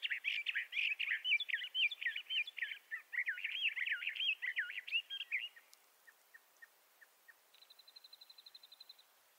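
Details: Bendire's thrasher, southwestern United States: several seconds of busy, rambling warbled song, then a few faint soft clicks and a brief, fast buzzy rattle.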